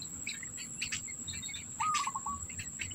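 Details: Black bittern feeding its young. Late in the clip a single call rises quickly and then stutters into a run of short pulses. Background chirps from other birds and an unbroken high-pitched insect drone surround it.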